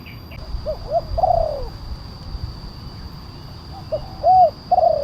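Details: Spotted dove calling as a lure for wild birds: soft short coos, then a long downward-sliding coo, a quiet gap, and a rounded arched coo followed by another drawn-out note, over hiss and a constant high whine.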